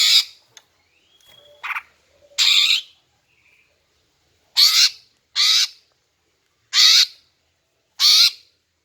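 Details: Female greater green leafbird calling to lure males: loud harsh rasping bursts, each about a third of a second, seven in nine seconds in irregular spacing, with a faint thin whistle and a soft brief note between them.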